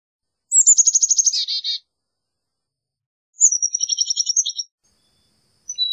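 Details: Two long Carolina chickadee call series: a fast run of sharp repeated notes slurring into buzzier ones, then a drawn-out chattering sequence, with a faint whistle at the end.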